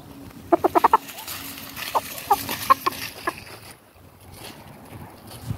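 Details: Chickens and roosters going about daily life in a garden: a quick run of short clucks, then a few scattered clucks over about three seconds, against a steady background hum.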